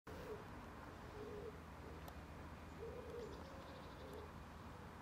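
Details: A common wood pigeon at Žale cemetery, Ljubljana, Slovenia, on 7 August 2023, gives soft, low, hoarse coos in short rhythmic phrases about every second, over a steady low rumble of background noise.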